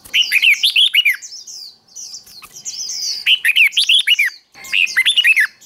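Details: Red-whiskered bulbul singing contest-style song for training others: lively phrases of clear, slurred whistles that rise and fall, each burst about a second long, repeated three times with brief pauses between.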